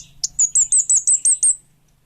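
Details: Orange-headed thrush, known locally as kemade bunga api, singing vigorously: a quick run of seven loud, very high, clipped whistled notes, each slurring downward, delivered in about one and a half seconds, with a faint low hum beneath.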